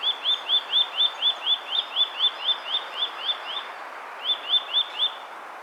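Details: Eurasian nuthatch of the Hokkaido subspecies giving a clear fi-fi-fi call: a fast series of pure, upslurred whistles, about two per second, a short break, then three more, over a steady background hiss.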